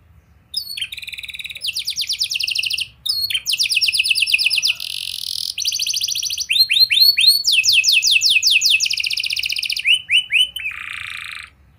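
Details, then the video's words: Canary in varied song used to encourage young birds to sing: alternating bursts of fast high trills, buzzy notes and down-slurred whistles, with short pauses between phrases. "Kenari Gacor Angkatan Gacor! Efektif Buat Memancing Kenari Paud Agar Cepet Rajin Bunyi & Ngeplong"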